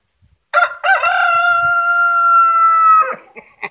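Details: Cock-a-doodle-doo from a village rooster in Kerala, India: a brief rough first syllable, then a long level drawn-out note lasting about two seconds, ending in a falling tail and a few faint clucks.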